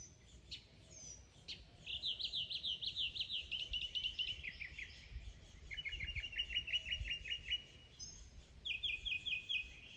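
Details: Mockingbird singing and mimicking other sounds: bright high phrases, each a quick series of identical notes repeated in a run, then switching to a new note type, with short pauses between the rapid trills.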